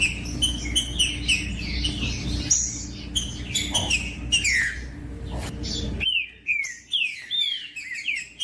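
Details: Green-winged saltator in song, used to excite other saltators into singing: busy overlapping whistled phrases with hum at first, then clean separate falling whistles repeated about every half second.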